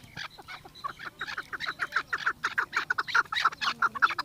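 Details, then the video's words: Chukar from Pakistan in an excited mood, circling a female: a run of short clucking notes that grows louder and faster, about two per second, rising into a steady chattering series. "چکور کی مستی آواز دیکھو"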